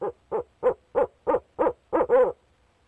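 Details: Male barred owl at the nest box calling to his mate: eight clear, hollow hoots at about three per second, the last stretched into a longer, quavering note, then silence.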